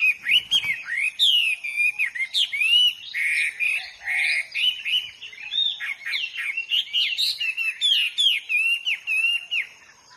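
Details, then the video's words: Hwamei singing in the wild: a loud, continuous run of varied whistled phrases, slurred up and down, with rapid repeated notes and no other clear sounds. "burung HWAMEY GACOR DI ALAM LIAR"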